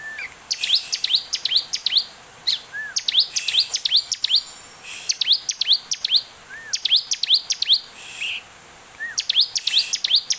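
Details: Bar-winged prinia (Prinia familiaris) song, used as a lure recording to get other prinias singing: fast bursts of sharp, high, ticking notes, several per second, with a softer slurred lower note between phrases.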